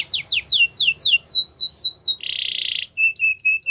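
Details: Yorkshire canary sings for training young birds: a series of clear descending sweeps about twice a second, then a harsh buzzy note and short flat whistled chips.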